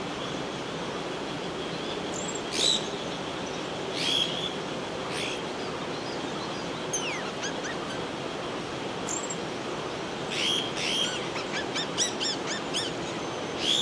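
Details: Slaty-headed parakeet at its nest in Ukhimath, entering the nest, giving brief, shrill squeaky notes every second or two that bunch into a quick series near the end, over a steady rushing hiss like a stream or wind.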